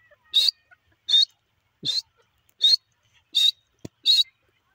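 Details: Grey francolin (teetar, dakni) uttering six short, high, rising squeaky notes at steady intervals, with a couple of faint low clicks in between and otherwise silence.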